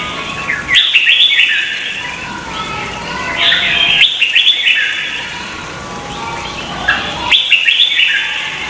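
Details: Contest-singing red-whiskered bulbul from Vietnam, used as a lure to encourage singing: repeated loud warbling phrases of quick whistled notes, three bursts separated by brief quieter gaps.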